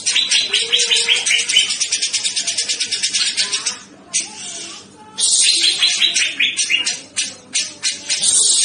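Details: Cucak jenggot (grey-cheeked bulbul) masteran song: long rattling volleys of fast, harsh chattering notes, a pause of about a second, then more loud, rasping bursts with slurred notes.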